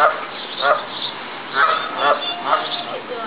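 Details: Many geese gathered at apartments in Columbus, Ohio; a handful of loud, nasal two-part honks, spaced roughly half a second apart, over a steady background hiss.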